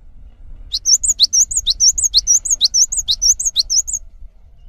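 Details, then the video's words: Steady, energetic song of a cinereous tit used as a master bird for tutoring others: about three seconds of piercing high whistles, each phrase a sharp dip followed by a rising chip, repeated evenly over a low hum. "GELATIK BATU GACOR ANTENG UNTUK MASTERAN"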